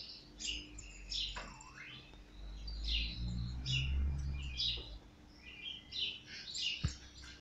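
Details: Captive European goldfinch, caught the previous year, singing a rapid twittering run of bright chirps and short trills in bursts throughout, over a steady low rumble, a faint hum and one sharp click near the end.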